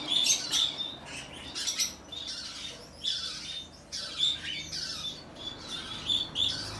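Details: A pair of plum-headed finches recorded in Fukuoka, Japan, on 3 July 2023, giving short, high, squeaky calls in quick bursts with brief pauses between them.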